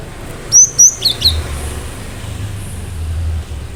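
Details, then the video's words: Cinereous tit in sharp, persistent song to provoke other birds: two high level whistles then quick descending slurred notes, followed by low droning background noise. "Gelatik batu gacor awas burung mu akan ikutan gacor"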